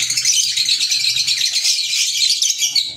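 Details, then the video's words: Green Fischer's lovebirds, African lovebirds, in a continuous burst of piercing, high, overlapping twitters and squeaks, dense and unbroken throughout. "Fisher Love Birds Sound | African Lovebirds | Green Fisher Love birds Voice"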